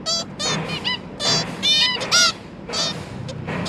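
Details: Zebra finch parents feeding three juvenile young, 1 October 2022. Uneven bursts of nasal, tin-trumpet calls mix with softer overlapping chatter and a faint low background rumble.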